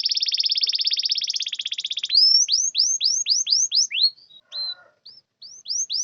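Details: Canary song used to lure lazy or silent canaries into singing: a fast high buzzing trill for two seconds, then a string of quick upswept whistled notes repeated several times a second, with a brief lower rattle.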